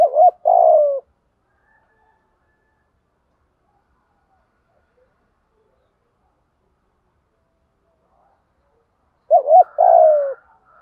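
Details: Spotted dove used as a decoy for training silent or newly caught birds, giving 'thúc gù' cooing: a brief wavering note and a longer falling coo, then a long silence before the same phrase returns.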